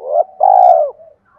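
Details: A single spotted dove phrase for luring wild doves: a short rising note, a pause, then a long level throbbing coo that drops away at the end, followed by a faint trailing murmur.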